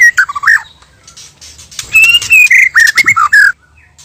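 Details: White-rumped shama pair, male and female, as a trapping lure: low warbled notes, a quiet gap, then a long bright whistle followed by slurred descending phrases.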